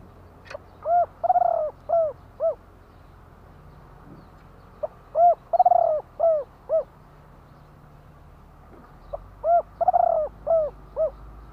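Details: Spotted dove in Thailand singing two-note 'kuk-ku' style song. Three phrases of mellow coos come about four seconds apart. Each holds a rolling trilled note among the rounded, falling notes, over a light low hum.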